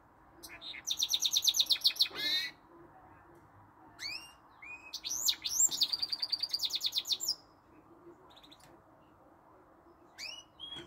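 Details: Hybrid goldfinch mule with canary notes in its song: a fast rattling trill, then a pause, then a long run of sweet twitters and buzzy repeated notes, followed by sparse single chirps.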